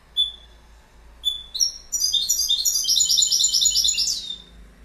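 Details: Goldfinch song opening with two short, separate high chips, then breaking into a fast, jangling run of tinkling, buzzy twitters that ends with a downward slur.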